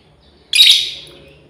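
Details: One loud, piercing, slightly buzzy shriek from a female lovebird calling companions, rising abruptly and then tapering off, with no other sounds besides a faint low hum.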